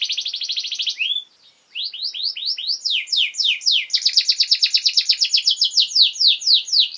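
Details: Canary master song for young birds: a buzzy high trill, a brief gap, then rising slurred notes building into quick dense chirping trills.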